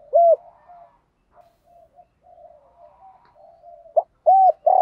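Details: Spotted dove coo used to lure and train doves, both sexes included. A single mellow coo, soft low murmuring notes for several seconds, then a clipped note and two loud hollow coos.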